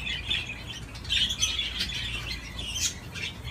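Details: Budgerigar playing on a swing gives continuous scratchy, buzzy warbling chatter with brief squawky notes.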